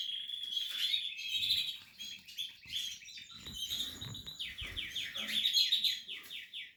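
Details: Captive Portuguese harlequin canary nest with chicks: high twittering that turns into rapid, evenly repeated downslurred notes forming a rolling trill, with a few soft low bumps.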